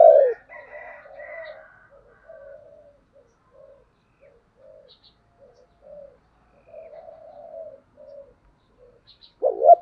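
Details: Spotted dove coo used to call in wild doves. It opens with a loud note and a brief chatter, then quiet, evenly spaced low coos follow. A louder hoarse coo begins right at the close.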